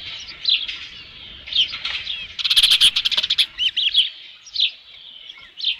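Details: Ospreys at the Dunrovin Ranch nest with a headless fish, 27 June 2018 near 12:48 PM; scattered high whistled chirps, broken midway by a burst of rapid clicking, sharp chirps resuming afterward.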